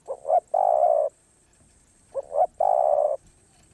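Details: Two phrases of spotted dove song in 'karom pa roi' style, sung off cue, each a quick double note followed by a long, level, mellow coo, with a pause of about a second between.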